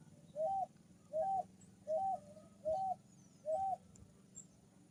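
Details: Picui ground dove singing: five short, soft, hooting coo notes, each slightly rising then falling, evenly repeated about once a second over a low steady background hum.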